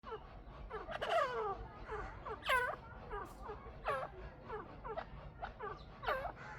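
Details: A pair of Chukar partridges calling: a run of harsh, curved, harmonic chuck notes, rising then falling, repeated roughly every second over a low background rumble.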